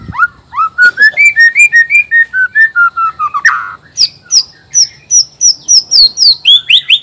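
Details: Black-tailed Nias white-rumped shama, a male, whose song is used to stir rival males into singing: loud rich whistled phrases, slurred notes stepping down, then high sharp repeated whistles in quick succession.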